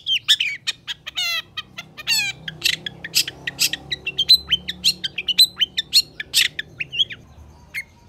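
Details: Long-tailed shrike singing energetically, used to train lazy shrikes: buzzy harmonic calls, then a long string of sharp chips and short whistles over a soft low background hum.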